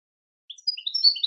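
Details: A brief burst of European goldfinch song, a few quick high chirps and whistled slurs lasting under a second, on a silent background.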